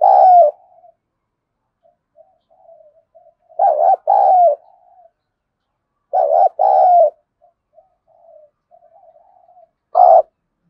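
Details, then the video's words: Spotted dove cooing in the contest-provoking 'giọng thổ' (thổ voice) style. Four separate phrases of deep, mellow, rounded coos, some doubled, with faint soft murmurs between them. The recording is quiet and has no other sounds. "tiếng chim cu gáy thúc đấu vấy bổi nghe nhanh gáy và gấy ức chế cao"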